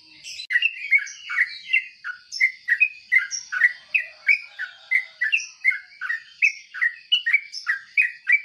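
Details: Morning song of a sooty-headed bulbul, with quick repeated chirpy and bubbly notes falling and rising in tight succession, about three each second, accompanied throughout by a constant faint high whine.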